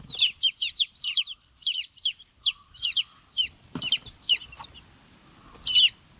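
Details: Baby chicks chirping: many high, sharp peeping notes in rapid overlapping bursts, several per second, with brief pauses and a faint knock.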